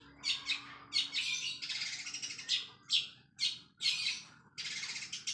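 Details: Long-tailed shrike in full, fast song filled with sparrow mimicry, used as a lure recording for other shrikes: loud, harsh, buzzy chattering bursts, each under half a second, separated by brief gaps, over a quiet indoor background.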